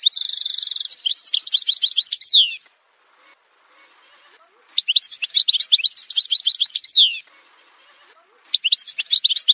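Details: Three bursts of Algerian goldfinch song from an edited montage, separated by pauses of about two seconds: each opens with a buzzy trill and continues as rapid, high, tinkling twitters and slurred chirps.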